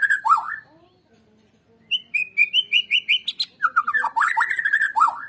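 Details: White-rumped shama song used as a lure recording to get other shamas singing vigorously: a looping whistled phrase, then a quick run of bright repeated notes climbing slightly, followed by rich warbled phrases dipping and rising.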